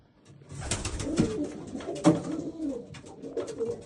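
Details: Old German Owl pigeons cooing indoors, low soft murmuring coos overlapping, with sharp clicks and scuffling sounds scattered through.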